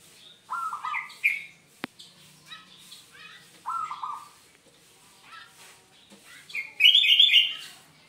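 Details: Zebra dove song used as a lure for trapping other zebra doves: short descending buzzy notes repeated twice, with higher chirps from other birds and a sharp click.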